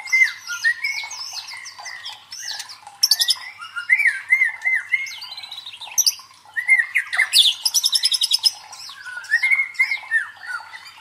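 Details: Loud, dense white-rumped shama song played to train fighter birds: tumbling whistled phrases, sharp chattering notes and two bursts of fast rattling trills, with barely a pause throughout.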